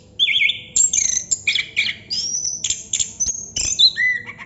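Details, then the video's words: Chestnut-capped thrush singing nonstop in a long bout: varied whistled phrases, sliding notes and rapid trills, with bright high notes and quick changes of pitch, and a faint steady low hum underneath. "Burung Anis kembang / Plontang Ngerol Non stop durasi panjang"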